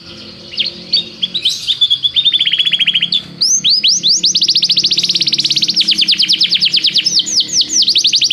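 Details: Training song of a canary: short chirps build into a long, fast rolling trill of arched high notes lasting several seconds, over soft low background tones.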